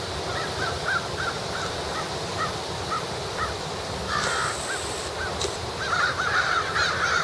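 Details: Several crows feeding while gathering before the roost call back and forth with many short, harsh caws. Some come in rapid runs, and a quick burst of caws closes the stretch. Constant outdoor rushing noise runs underneath.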